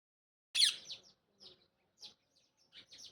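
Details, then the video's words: Rose-ringed parakeet, described as a talking parrot, gives one loud, harsh screech, then several short, quiet, scratchy chirps separated by pauses. "talking parrot orignal voice"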